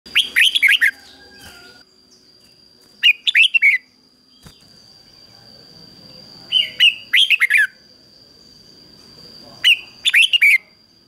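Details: Decoy red-whiskered bulbul singing in the intense 'ché' style to call wild bulbuls in to fight: four bursts of rich, slurred, warbling whistled notes a few seconds apart, over a faint steady high background tone.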